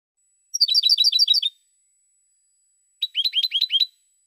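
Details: European goldfinch song: two quick bursts of rapid, liquid twittering notes, each about one second long and separated by a short pause, with a faint steady high tone running underneath.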